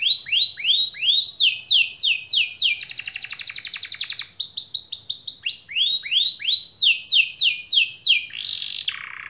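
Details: Loud canary song played so quiet, lazy canaries respond and roll: repeated rising swoops, a fast buzzing trill, more swept phrases and a closing harsh note.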